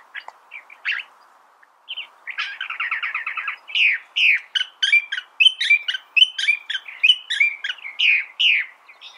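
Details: California thrasher singing a varied run of phrases: a few scattered notes, then a rapid buzzy rattled series, then loud choppy, slurred phrases that change pitch from note to note, delivered in a quick, uneven stream.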